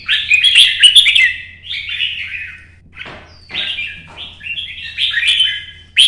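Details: Red-whiskered bulbul in early morning sun, performing solo competition song meant to stir up rival birds: quick rich warbled phrases, a brief pause, then a fresh burst of rolling whistled notes.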